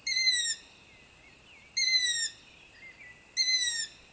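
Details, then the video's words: A juvenile Long-eared Owl calling at night gives three high-pitched, squeaky, slightly falling calls, each about half a second long and repeated every couple of seconds over quiet background. "and juvenile long-eared owls have high pitched calls"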